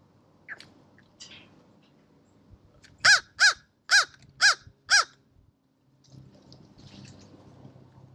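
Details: American crow calling at a seed bowl: a series of five short, harsh, nasal caws spaced about half a second apart, with faint rustling and low background rumble before and after.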